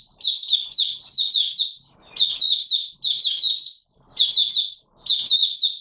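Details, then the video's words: Oriental white-eye singing its 'buka sing' opening song on 24 March 2022: five bright, high, rolling twittered phrases, each about a second long, separated by short gaps with faint clicks. "Mata Puteh Raja Video 1 buka sing"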